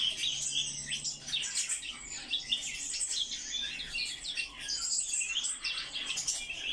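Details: Eurasian blackcap delivering an unbroken, busy warbling song, quick scratchy and chirping elements tumbling one after another, with a faint low hum in the background early on.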